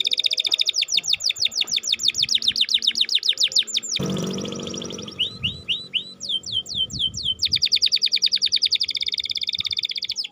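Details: Gacor canary singing, played to prompt stalled or lazy canaries: a long, fast, high trill of repeated notes. A low rumbling burst around the fourth second is followed by slurred whistles, and then the rapid trill resumes.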